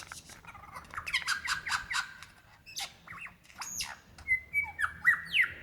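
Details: Lyrebird in Victoria's Dandenong Ranges National Park, February 2016, calling for a female: fast stuttering notes, a couple of arching calls, then long thin whistles with sharp chips.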